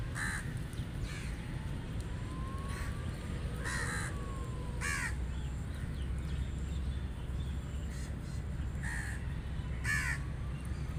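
Rook giving harsh, grating caws, single or in pairs every couple of seconds, over a steady low rumble of traffic or wind.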